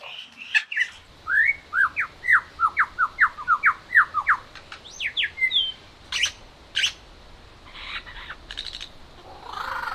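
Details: A superb lyrebird near Mount Sugarloaf, West Wallsend district, Australia, sings its own mating call and mimics a whipbird, a chainsaw and a kookaburra: a fast run of about fifteen loud sweeping notes, then sharp upslurred cracks and varied phrases over steady hiss.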